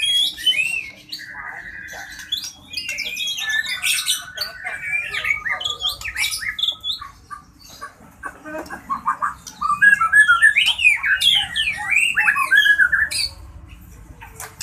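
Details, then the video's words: White-rumped shama of the Medan type, played as therapy for shamas that are singing or off form: a long, varied song of clear whistles, level held notes, trills and fast chattering runs, with brief pauses between rapid phrases. "Terapi Murai Batu Medan, Cocok buat murai yang lagi bunyi dan drop"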